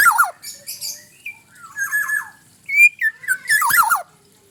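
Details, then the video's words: Black-naped oriole singing: a loud descending whistled slur, then a mix of short fluty notes and harsh nasal squawks, ending in a rough buzzy burst with a wavering downslurred whistle. "suara pareasi kepodang mantap"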